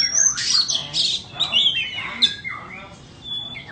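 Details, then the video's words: White-rumped shama (chích chòe than bông) singing a varied phrase of clear whistles and sweeping slurred notes, with some harsher rasping elements, in bursts that fade toward the end. "Chích choè than bông"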